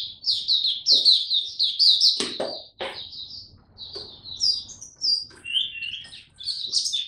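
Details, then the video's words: Young male white-eye, locally Mata Puteh, in its maturing Dagger-style song recorded 9 February 2022: dense, high twittering phrases of quick chirps and warbles, with a few short knocking sounds in the middle. "Mata Puteh Dagger Video 1 buka sing tiong aw studying his progress n maturing"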